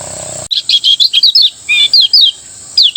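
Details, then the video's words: Lemon-bellied white-eye from Lombok in ngejos-style morning song, used to prompt other birds to sing. Fast bursts of high, clear, down-slurred whistles and chirps come in quick phrases separated by brief pauses. "masteran kecial kuning ngejos di pagi hari membuat kecial kuning anda ikut bunyi"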